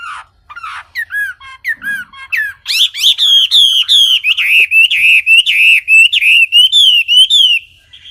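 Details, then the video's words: Wambi song opens with a few separate sharp whistled slurs. It then breaks into a loud, continuous string of quick, clear, bouncing whistles, roughly three per second, held for five seconds before stopping. "Kicau Burung Wambi Jernih"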